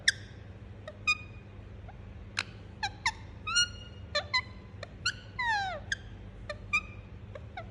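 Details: Pet Indian ringneck parakeet indoors giving a rapid string of short harmonic chirps and sharp clicks, a few longer down-slurred whistles among them, with a constant low hum behind.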